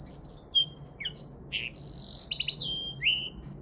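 A linnet-canary mule sings a fast, varied run of high twittering notes, sweet whistles and buzzy trills, with only a faint low hum of room noise beneath.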